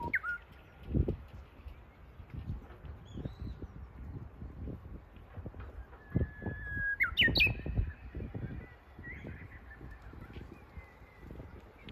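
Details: Spring lesser cuckoo heard outdoors while walking: a whistled phrase of a sustained tone and sharp upward-leaping notes near the middle, with a faint earlier note, among repeated low thudding steps.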